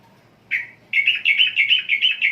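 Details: Sooty-headed bulbul, Indonesian archipelago, gives one slurred note, a short pause, then a rapid string of about ten bright, bubbly chirps at an even pace.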